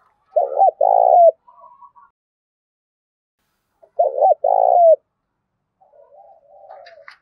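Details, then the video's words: Spotted dove used as a decoy, in the loud 'Thổ Đồng' voice style: two crisp cooing phrases, each a double note followed by a throbbing drawn-out coo, then soft low murmurs and a faint high chirp at the end. "Tiếng cu gáy mồi đủ bài giọng to tướng đẹp giọng hay giọng đồng thổ hay"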